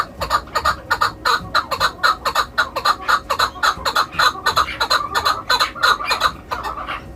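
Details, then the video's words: Chukar kept for hunting gives a fast series of harsh chuk notes, almost three each second, slightly uneven, carrying on without a break. "shikari Chakor"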